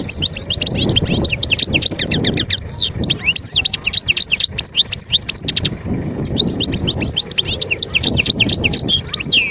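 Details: Wild European goldfinch from Skikda, Algeria, 2022, in sustained song: rapid liquid twitters and chirps packed into long phrases, one brief pause midway, with a low rumble of background noise underneath.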